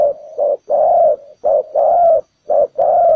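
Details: Lure spotted dove at a ground trap: quiet murmur leading into three sets of deep coos, each a clipped note followed by a longer, slightly wavering one.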